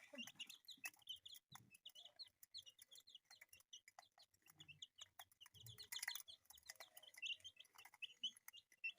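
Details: Colourful pet chicks peeping together: a dense chorus of short, high, clear cheeps, many overlapping and repeated several times a second, with scattered clicks and soft low thumps beneath.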